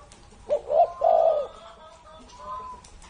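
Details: A single cooing phrase from a spotted dove more than 30 years old: a quick short note, a rising coo, then a longer mellow coo, followed by quiet.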